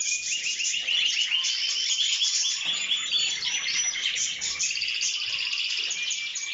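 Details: Canary song: a dense, unbroken stream of high, rolling trills and warbled phrases, with rapid repeated notes layered over one another and held at a steady loudness throughout.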